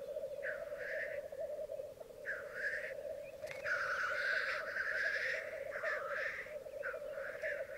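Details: Twelve black grouse cocks and two hens display on a bog at Mykland, May 2022, in the morning; ceaseless bubbling cooing underlies short hisses that come in quick succession, then merge into a longer rushing spell.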